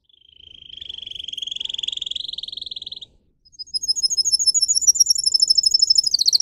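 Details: Pet singer canary used in song training: a steadily swelling rolling trill lasting three seconds, a brief gap, then rapid high sweeping notes in a bright chattering run.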